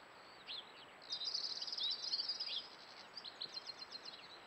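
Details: A common blackbird carrying worms in its beak by a pond gives an alarm call: a high, scratchy chattering burst, then a run of sharp clipped notes, several a second, over steady background hiss.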